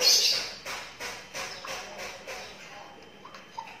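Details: A 12-day-old lovebird chick gives rapid, rasping high chirps. They repeat about three times a second, then fade into softer, scattered peeps toward the end.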